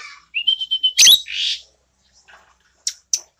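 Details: Red-eyed, black-feathered Asian glossy starling, a tame and keen singer used as a master bird: a short burst of rapid clear whistled notes climbs into a sharp shriek and a hissing rasp, then two faint ticks.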